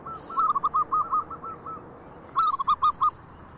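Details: ['Local zebra dove singing busily, prompting others to join: a run of about ten short, soft cooing notes, a silent stretch, then a second shorter series of five or six coos.']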